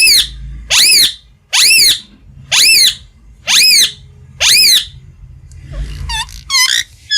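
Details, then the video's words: Green ringneck parrot kept as a pet indoors: six loud, harsh, arching screeches in steady succession, each a fraction of a second long, followed by a few softer, quicker squeaky notes, with a faint low room rumble underneath. "Funny Green Parrot Talking Sound Effects"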